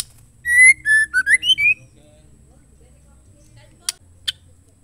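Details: A female white-rumped shama, whose calls are played to provoke males into singing, gives a quick run of about six clear, sliding whistled notes. Two sharp clicks follow a few seconds later.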